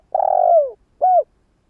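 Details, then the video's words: Spotted dove used as a lure for wild doves: a long vibrating coo that slides downward, followed after a short gap by a brief arched coo, in otherwise silent surroundings. "Tiếng gáy cu mồi cây | Tiếng chim cu gáy kích bổi nhanh nổi hiệu quả"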